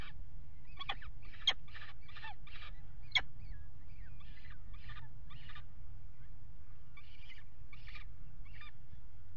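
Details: Peregrine falcons at the Axel water tower nest ledge on 5 February 2018, around their mating. Short clipped chattering notes repeat in quick uneven bunches, with a few sharp clicks, over a faint low hum.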